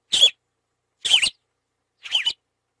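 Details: Yellow-rumped marshbird giving three brief, rough, buzzy notes, each about a second after the last, separated by clean silence.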